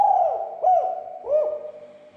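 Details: Spotted dove giving low, mellow coos that arch up and fall away, three notes in quick succession with a steady hum beneath, used to stir other doves into calling.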